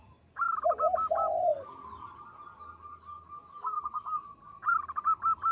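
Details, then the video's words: Local zebra dove singing loudly and melodiously: rapid rolling trills of clipped notes alternate with low, sustained purring coos, the staccato runs returning in bursts about once a second, over faint low background rumble. "Perkutut lokal gacor suara besar panjang merdu."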